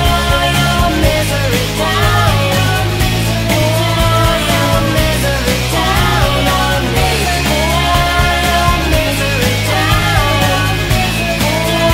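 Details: Loud rock music with distorted guitars and singing fills the clip; no animal sound can be picked out. Heavy bass and steady drumming run throughout.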